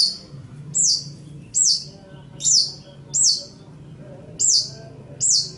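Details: Long-tailed shrike, locally cendet or pentet, on a master recording for training songbirds: very high, thin, sharply falling whistled notes repeated about every seven tenths of a second, fairly steady, with a soft low hum beneath.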